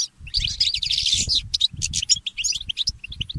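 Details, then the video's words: Goldfinch mule (goldfinch hybrid) singing in the early morning: rapid high twittering with a long buzzy, scratchy passage early on, then quick chirped notes and short trills. Soft low thumps run underneath. "The inspiring Motif of the Mule Goldfinch"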